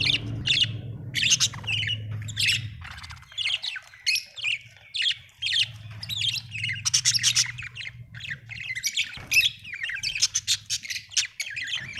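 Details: Cheerful budgerigar chatter: quick rasping chirps, squawks and squeaky whistles tumbling together in dense bursts, with a low droning hum underneath for much of the recording.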